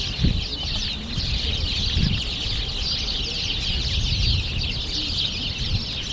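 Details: Sparrows bathing in sunlit spring puddles in Friendship Park, Moscow, on 3 March 2014: a dense, continuous chorus of high chirps from many birds over a steady low rumble of background noise.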